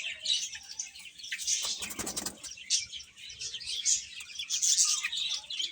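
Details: Chicks peep shrilly and continuously as they eat, and a short burst of wing flapping interrupts the chirping chorus about two seconds in.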